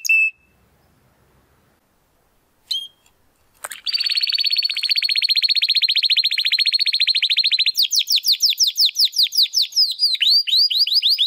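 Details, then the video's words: A young Spanish Timbrado canary, still developing its full song, gives two short chips, then a long fast metallic trill lasting about four seconds, followed by a series of sweeping downward whistles. "Canary Song - Spanish Timbrado Classico"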